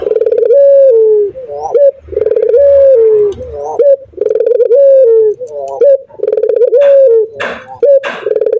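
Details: Male local Barbary dove singing persistently in the 'nguku' style. Low, mellow coos with a held, slightly falling note and a quick upturn repeat about every two seconds. Soft clicks and rustles are heard indoors.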